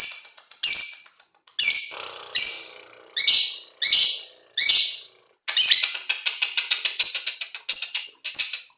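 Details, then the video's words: Lovebird aged five months, a fighter-type singer, giving a long string of loud, rasping, high chattering bursts roughly every three-quarters of a second, followed by a quick stuttering chatter and more clipped shrill notes. "Love bird umur 5 bulan fighter"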